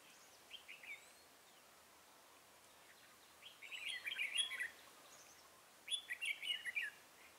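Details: Red-whiskered bulbul singing as a trap decoy for wild bulbuls, 23 October 2017. Brief opening notes, then two loud, rapid bursts of chattering, warbled whistles, each lasting about a second, separated by a short pause.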